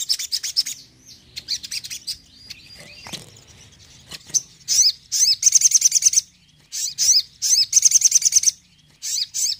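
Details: High 'tembakan' shooting song of a Crimson Sunbird (sogon), used to lift a less active sogon: clusters of sharp chirps and rapid trills, with soft, thin, sliding whistles between the bursts.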